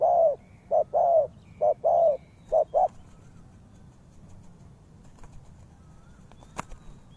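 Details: Spotted dove, a lure for trapping, delivers a quick burst of low coo pairs over the first three seconds, then falls silent, leaving quiet background with a few clicks.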